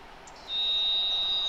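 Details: One of two Varied Thrushes singing in trees at a lupin meadow edge by a highway gives one long, steady, high whistled note holding a single pitch for over a second, against faint background hiss; singer unsure if territorial.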